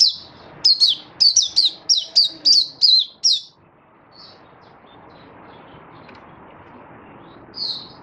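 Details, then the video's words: Oriental white-eye in song display: a rapid run of high, thin, chirpy notes for about three seconds, then quiet except for one last note. "Mata Puteh Happy Buka Sing"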